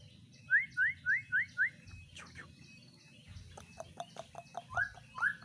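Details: White-rumped shama in a breeding cage, singing a full song of varied phrases: a run of five quick rising whistles, a pause, then a series of short sharp notes ending in two rising whistles.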